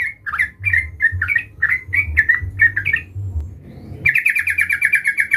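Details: Sooty-headed bulbul (trucukan) calling a rival, lively and persistent: a string of separate squeaky, slurred chirps for three seconds, a pause, then a fast buzzy chattering run, over a low background hum.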